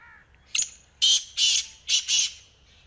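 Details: Black francolin call: a short scratchy lead-in note followed by four loud, harsh, grating notes in two close pairs. Nothing else intrudes.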